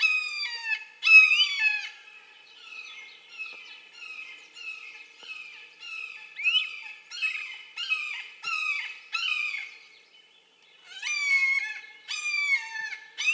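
A Red-shouldered Hawk gives a long series of loud, harsh, down-slurred kee-aah screams, roughly two a second, with a brief pause before the calling resumes.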